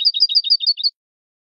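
A Malagueño canary sings a quick run of six paired notes, high and bright, each falling slightly, about seven per second. No other sounds.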